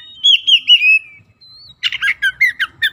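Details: Oriental magpie-robin used as a lure to get sluggish, silent birds singing: rich whistled phrases sliding downward, then a fast run of short chattering, buzzy notes repeated about five times a second, in a quiet room.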